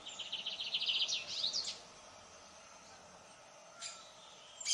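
Lined seedeater: a quick, high trill of about a dozen even notes for under two seconds, ending in buzzy rising sweeps, then two brief high notes over soft hiss.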